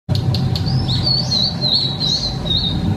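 A female blue-and-white flycatcher sings a thin, high, wavering warble that runs on for about two seconds over a steady low rumble of wind.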